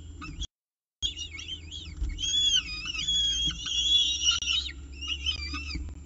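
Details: Peregrine falcon with breakfast at the nest in Orange, 19 October 2018: after a short silence, sustained, tremulous high whistled calls swell into a long bursting series, then fade to softer wavering notes.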